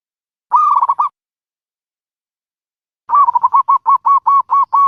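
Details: Dove giving a short rolling trilled phrase, then after a pause a run of about ten quick, evenly spaced staccato notes of steady mid pitch, clear and clean without background noise.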